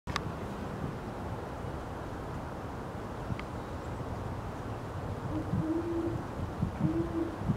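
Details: A male great horned owl in Forest Park, St. Louis, Missouri, USA, on 3-1-2018, gives a few deep, soft, muffled hoots near the end, over a steady low rumble of distant traffic.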